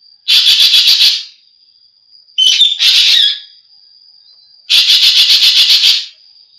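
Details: Green magpie producing rapid stuttering chatters of about eight pulses each, with a harsh whistled call between them. A steady high whine is heard in the background.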